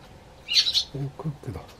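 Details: Eurasian tree sparrow in a garden, hopping onto the bench as the householder steps out and calling to him: a short burst of two bright, high chirps, followed by a man's low speaking voice.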